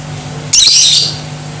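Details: Lovebird chatter used to make other lovebirds aggressive: one abrupt shrill, scratchy chattering burst lasting about half a second, over a steady low hum.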